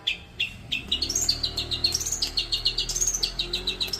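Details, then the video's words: Young long-tailed shrike under a keeper's care to bring on full song: a fast run of high, clipped chirps repeated several times a second, rising and falling in a continuous chattering stream. "rawatan cendet/toed muda untuk pemula agar cepat gacor"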